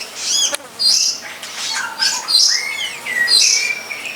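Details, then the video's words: Long-tailed shrike singing in the wild; high, varied chirps and short whistled slurs, some falling and some rising, given in quick separate bursts. "Pesona Burung Cendet di alam"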